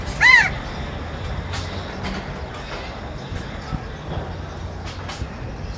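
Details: Brief harsh caw from a crow at the very start, then only low traffic-like rumble and occasional faint ticks.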